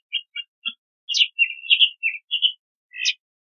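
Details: Crissal thrasher song: three short clipped chirps, then a run of warbled and slurred phrases, ending in a buzzy rising note; clean, quiet background.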